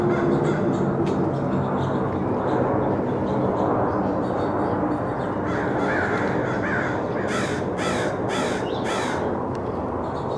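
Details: Angry crows in a neighbourhood: a run of four harsh, hoarse caws spaced about half a second apart near the end, with a few fainter caws earlier, over loud, steady background rumble.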